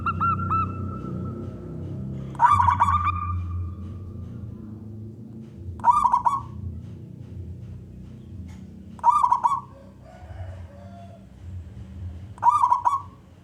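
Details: Singing male zebra dove from the wild, a contest-type bird used to draw other doves into song: short rolling coo phrases repeated about every three and a half seconds, with quiet pauses and low background rumble.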